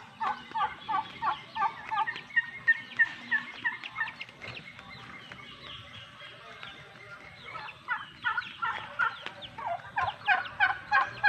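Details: Male turkeys kept apart from the females gobbling: bursts of rough, rapid gobbling repeated every second or so, several birds overlapping, with a quieter pause midway and faint background noise.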